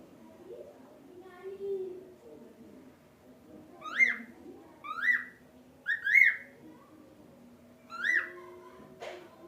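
A cockatiel gives bright, short chirps with quick rising-falling whistles, in bursts about a second apart.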